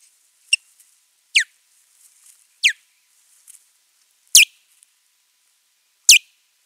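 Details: Territorial fight between ospreys at a nest site, recorded April 19, 2023; a series of thin, whistled, downward-sweeping cries, some louder than others, given every second or so against a quiet background.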